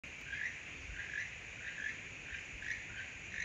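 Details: A keel-billed toucan (Ramphastos sulfuratus) at Chachagua Rainforest, gives its far-carrying, frog-like croaking song, dry croaks repeated steadily about every three quarters of a second over a steady hiss of rainforest insects.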